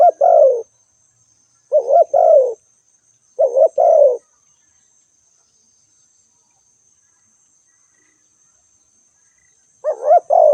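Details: Spotted dove call: a burst of soft, hollow coos, then a gap. Similar phrases come roughly every two seconds, followed by a longer silence of several seconds before calling resumes. A faint constant high hiss sits behind.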